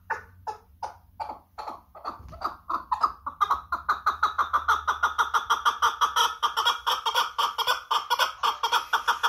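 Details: Chukar partridge from Kangurt giving a rhythmic series of clucking chuk notes that speed up from slow, spaced calls to a fast, steady pulse of about two per second. A low hum runs underneath.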